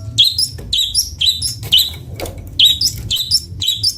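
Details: Long-tailed shrike, called cendet bondol, singing sweetly: bright high chirped phrases near the top of the range, each a short burst of rising and falling notes, repeated about every half second over a low background hum.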